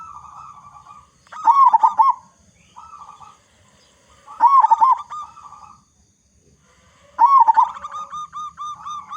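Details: Lure recording of a local Indonesian zebra dove with a big voice, meant to set other doves singing: repeated phrases of short clipped coos rising into a rolling, bubbling trill, roughly every three seconds.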